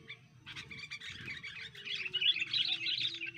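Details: Sooty-headed bulbul recorded during pikat cengkeram bird trapping: dense, busy chattering of quick high chirps that builds in loudness toward the end, with a steady faint low tone running underneath.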